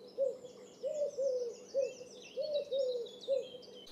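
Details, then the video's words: Eurasian collared dove (Streptopelia decaocto) giving soft, low three-note coos, a long middle note between two shorter ones, repeated steadily, with faint high twittering of other birds behind. "Eurasian Collared Dove Call"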